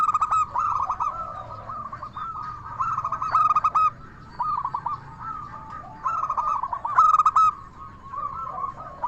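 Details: Zebra dove, a local Indonesian bird singing in the 'crystal voice' style as a lure for other doves: fast bubbling coo series repeating about every few seconds, with clear ringing accented notes at the start and near three and seven seconds.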